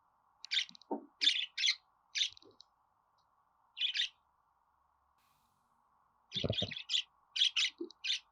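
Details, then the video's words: Budgerigar sounds as sharp, scratchy chirps in short runs, a brief pause, then a denser flurry. A faint hum and a low knock sit beneath them. "Muhabbet Kuşu Ötme Garantili Kuş Sesi,Muhabbet Kuşu Sesi"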